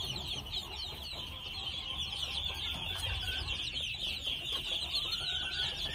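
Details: A flock of red junglefowl chicks aged two months keeps up a steady stream of shrill, descending peeps, many birds calling at once, with a faint low hum underneath.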